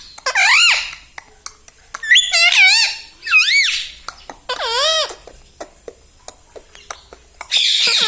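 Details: Pet parrot talking, imitating mummy and papa in high, reedy, bending syllables, four or five short bursts with ticking and tapping sounds between them.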